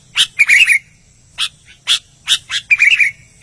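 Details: An albino sooty-headed bulbul in lively voice gives two short bubbly warbled phrases of quick whistled notes, at the start and the end, with sharp snapping chips between them over a soft low hum.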